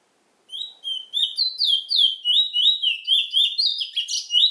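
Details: Trinidad bullfinch song: a fast, continuous warbled phrase of sliding whistled notes, roughly three to four per second, rising and falling steadily with bright high overtones, clean and without other sounds.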